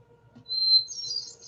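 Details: A Hermit Thrush in a Vermont forest opens with one long, pure, solitary whistled note, then breaks into a higher, fluttering flute-like phrase. A faint low hum sits underneath.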